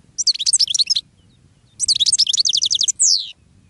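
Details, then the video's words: Goldfinch singing to attract other birds, two rapid phrases of liquid, tinkling high twitters, the second ending in a drawn-out descending buzz; faint low rumble underneath. "GOLDFINCH SONG to ATTRACT Other Birds"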